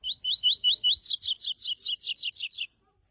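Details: A chestnut-bellied seed finch sings a quick run of rising, slurred notes that breaks into a faster series of high, rolling phrases, all in under three seconds.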